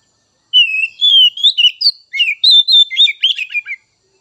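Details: Oriental magpie-robin song aimed at rousing raw and young speckled birds: a long flowing whistle rising in steps, then brisk mixed warbles, chatters and sharp notes over about three seconds.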